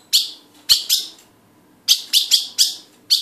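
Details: A pair of ultramarine grosbeaks (Cyanocompsa brissonii) gives sharp, high metallic chips, singly or in quick runs of two to four, with short pauses between bursts; otherwise quiet.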